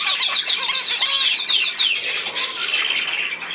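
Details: Budgerigar chatter made of quick, repeated downward-sliding chirps in bursts, followed by softer scratchy warbling and a thin high whistle.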